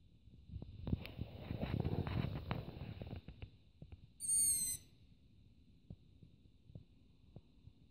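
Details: Nighttime begging of a long-eared owl youngster perched on a roof; after several seconds of low rustling noise, a brief scratchy, high squeal sounds once, followed by quiet ticks.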